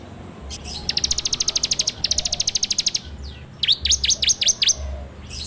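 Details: Ciblek, the bar-winged prinia, captured on an Android phone for use as a training lure: a fast rattling trill of clipped high notes, then a brief pause and a series of sharp down-slurred chirps, over low rumbling background.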